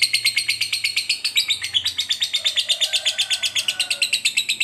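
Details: Lovebird, a fighter bird, giving a long ngekek trill used to provoke another lovebird into fighting; rapid, steady high chattering pulses, about three per second, running unbroken through the whole stretch, with a faint lower hum beneath.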